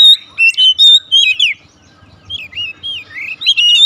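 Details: Oriental magpie-robin singing 'nembak' style right away: rapid bursts of bright whistled notes, rising and falling slurs, a brief gap mid-way, then looping warbled phrases in a quiet setting.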